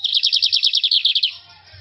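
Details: Lined seedeater giving corujinha-type song: a rapid, steady series of about fourteen short bright notes at roughly ten per second, slightly falling in pitch, then stopping abruptly into faint low background hum.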